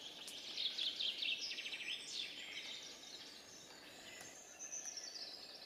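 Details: A Eurasian three-toed woodpecker at Reastvere, Jõgevamaa, in 2019 gives quick bursts of high, sharp chattering notes in the first half. Quieter scattered calls follow over a soft outdoor hiss.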